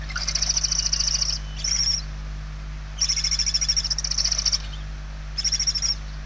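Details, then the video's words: Barn owl chicks hungry in their nest, Spain, November 2023: short and long bursts of rough, rapidly pulsed hissing, two bursts close together, then a pair after a gap, then one more, over constant electrical hum. "Lechuza común - [Interior]- Płomykówki"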